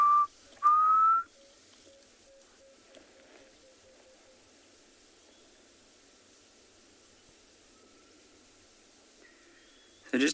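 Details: Black Cuckoo at sunset on 12 November in Tswalu Kalahari Reserve, South Africa, the first heard this season, gives loud mournful whistled notes, then fainter distant whistles, amid soft clicking of bursting tamboti seeds and cicadas.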